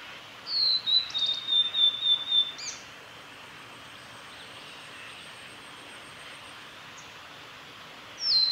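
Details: A male Blue-and-white flycatcher sings at Kanazawa forest road, Lake Miyagase, Japan, on 3 May 2020: a clear, high whistled phrase of slurred notes ending in a short buzzy burst, then again, over a soft background hiss.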